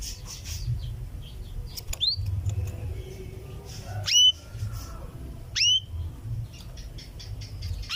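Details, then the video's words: Female canary calling to the male with a 'cuwit-cuwit' call: loud, sharp upward-sweeping whistled notes, two strong ones about one and a half seconds apart plus a fainter earlier note, over a low steady hum. "suara kenari betina cuwit-cuwit memanggil jantan"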